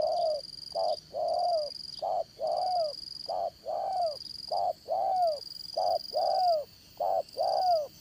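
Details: Spotted dove used to lure others into traps, singing in the 'Đồng Son' style: a regular run of clipped coos each followed by a longer downward-curving coo, over a thin background hum.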